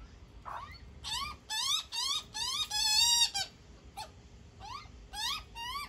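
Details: Magpie chick begging during feeding by its mother: irregular bursts of rising squeals, including one long, sustained, strained squeal in the middle, with short pauses between calls.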